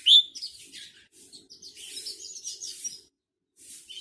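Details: Black-throated canary from Botswana giving a lively slow song meant for tutoring other birds: one sharp high note opens, then thin rapid twitters and warbled high trills run on, a short pause, then a final brief twitter.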